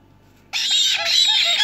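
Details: Hand-reared black-headed caique chicks, taken from breeding parents at a few days old, being hand-fed: a sudden, continuous harsh rasping begging noise that starts abruptly and keeps going without pause, with wheezy pulsing undertones.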